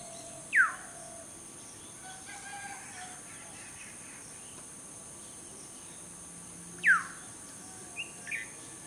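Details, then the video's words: A Black-hooded Oriole perched in a garden tree sings to attract a mate: two loud, clear whistles, each sliding sharply downward, about six seconds apart. Faint softer notes and a steady background hiss fill the gaps. "Black Hooded Oriole Song"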